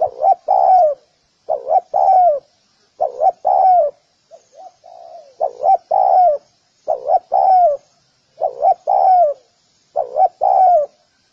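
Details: Spotted dove for dove training, cooing steadily: about eight phrases of two quick notes and a longer falling coo, with one softer, lower-pitched phrase partway through.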